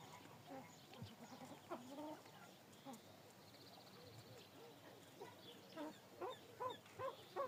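Pheasants give soft, nasal clucks and chattering calls, several birds overlapping at an uneven pace, with a thin high whistle and faint background noise.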